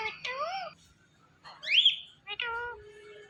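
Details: Indian ringneck parrot vocalizing in short speech-like phrases: a wavering harmonic note, a sharp rising squeal in the middle, then a level nasal tone trailing off, with quiet pauses between.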